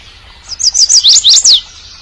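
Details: Male bird calling for a mate: a quick series of five high, sharply rising-and-falling whistled notes packed into under a second, over faint low rumble.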